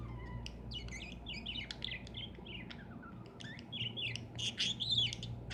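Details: Lovebirds kept in a cage chatter with rapid, overlapping high-pitched chirps and twittering squeaks, several notes each second, growing slightly louder toward the end, with a constant low background hum.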